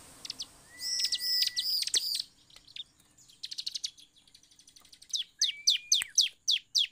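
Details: Bar-winged prinia (ciblek) lure song for prompting other birds to sing: arched high notes with a thin whistle, a quiet pause, fast faint trills, then sharp descending notes repeated about three per second.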